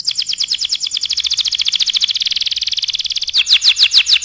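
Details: Canary singing vigorously, a recording meant for tutoring other birds: fast, even trills of rapid high notes, then slower, louder rising-falling sweeps over the last second.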